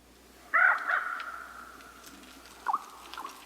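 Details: A common raven gives another of its call types: a hoarse, drawn-out call that trails off slowly, followed by two brief, hollow notes. The setting is otherwise quiet.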